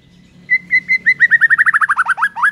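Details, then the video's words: Morning song of a white-rumped shama, used to anger rivals: three steady level whistles, then a fast accelerating series of about fifteen short slurred notes, each dropping slightly lower, against a faint low hum. "HITUNGAN DETIK DI PAGI HARI BIKIN MURAI LAWAN AUTO NAIK EMOSI SEKETIKA"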